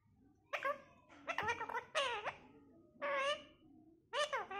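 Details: An eight-month-old young pet parrot imitating laughter indoors: five bursts of harsh, harmonic, chuckling notes, each under half a second, separated by short silences.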